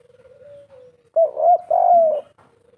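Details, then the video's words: Spotted dove in 'kuk 3' lure style: a soft, wavering level tone, then three strong coos, the last long and gently falling, with a faint low note after. "pancingan burung derkuku kuk 3 putar sebentar saja langsung nyaut"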